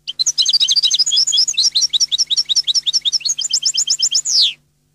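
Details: European goldfinch (Carduelis carduelis), a Neapolitan-type goldfinch song: a rapid, tinkling stream of high twittering notes for about four seconds, ending in a drawn-out, falling buzzy note, over a faint low hum.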